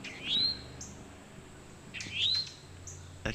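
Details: Mating call of a towhee, with other birds joining in: a pair of upslurred, sweet rising notes spaced roughly two seconds apart, plus a faint soft click at the end.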